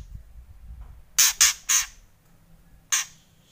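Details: White-rumped shama making kretekan: three quick harsh rasping bursts in a row, then a single burst after a pause.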